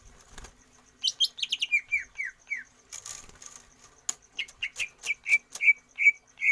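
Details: Greater green leafbird singing for stamina training without free-flight exercise: falling whistled notes in a rapid series, a brief noisy gap, then steady repeated bright whistles about twice a second.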